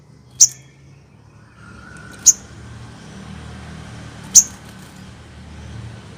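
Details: Crested jay (sogon) training call that draws replies from other sogon: three single, very high, sharp clicking notes spaced about two seconds apart over a low background hum.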